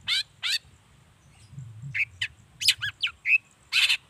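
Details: Long-tailed shrike singing, used to prompt other shrikes to respond; a varied run of short chirps, clipped whistles and rasping notes in irregular bursts, with a faint low hum behind.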